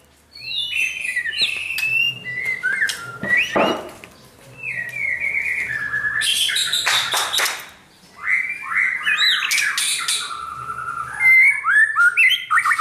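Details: White-rumped shama (Copsychus malabaricus), song.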